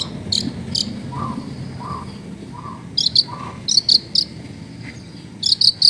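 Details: Long-tailed shrike giving sharp 'tembakan' song, used as a lure to make silent shrikes sing, recorded in a crowded residential area; piercing high chips in quick pairs and triplets alternate with short lower whistled notes, background faint.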